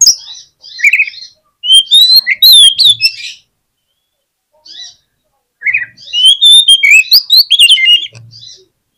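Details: An Oriental magpie-robin sings, meant to make silent birds reply: loud sweet whistles and slurred upward notes mixed with scratchy chips, two dense phrases separated by a short gap with a lone note between.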